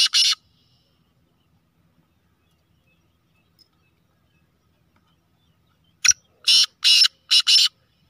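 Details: Speeder kala teetar, or black francolin, of the Sheedi Gangas Nasal type: one rasping note, a long quiet gap, then a sharp click and four hoarse, buzzy notes in quick series.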